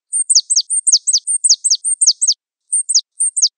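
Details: Java sparrow of the wingko variety in a mastering recording: quick high paired notes, each a short flat whistle dropping into a steep downward sweep, repeated rapidly in a run, a brief pause, then three more pairs.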